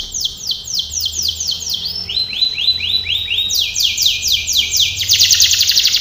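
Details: Canary training song: fast repeated tours of sweeping, whistled notes, about four per second, each sliding down then shifting to a lower pitched series and back up to a bright, rapid trill near the end.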